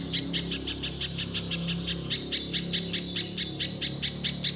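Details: A lively little spiderhunter in full song gives a quick string of harsh, high chips, roughly four per second, evenly paced and slightly softer, with a low background hum.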